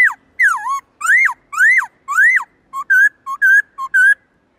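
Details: Black-throated laughingthrush, a kept songbird, in multi-voiced forest-style song: four loud arched whistles rising then falling, followed by paired short whistles, a low note then a higher one, repeated three times.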